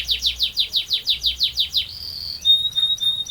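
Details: Canary song with a long rolling section: about eleven evenly spaced downward chirps, a sustained high whistle, then thin, steady piping tones.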